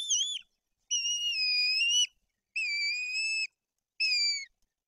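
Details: White-tailed eagles at their nest in Poland's Tuchola Forest, where an adult feeds two chicks fish and the older chick is aggressive. Four clean, level, high whistled notes, each about one second long, separated by silent gaps.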